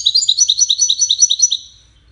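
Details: High, sweet twittering from a European goldfinch of the Wedani type, a rapid regular string of liquid chirps lasting about a second and a half before fading into quiet.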